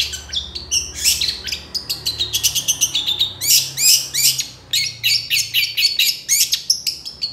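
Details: Long-tailed shrike in loud, lively song packed with rapid 'tembakan' shot-like fills, used as a tutor recording for training birds: dense bursts of sharp high chirps and trills, many short buzzy notes tumbling together with barely a pause.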